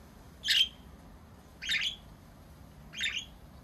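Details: A pet budgerigar in Baunatal, Hessen, Germany, recorded 27 March 2023, gives three short, harsh chirps about one every 1.3 seconds, over a faint low background hum.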